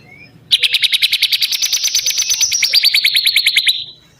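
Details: A single bar-winged prinia song: one loud, rapid trill of crisp repeated notes, roughly seven per second, holding steady for about three seconds before fading, with a quiet background.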